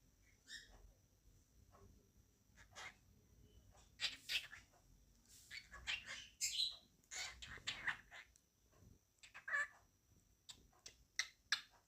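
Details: A male cockatiel sings a run of bright, chirpy whistled notes in quick irregular bursts.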